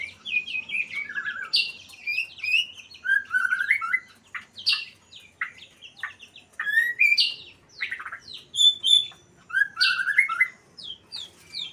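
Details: White-rumped shama in breeding condition, singing: varied rich whistled phrases mixing slurred rising and falling notes with sharp high chips, delivered in bursts separated by short pauses, background quiet.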